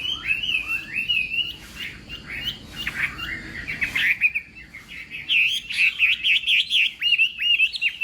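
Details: Morning training song of a contest Chinese hwamei: varied slurred whistles and chattering phrases, growing louder midway into rapid, rhythmic, rolling whistled notes.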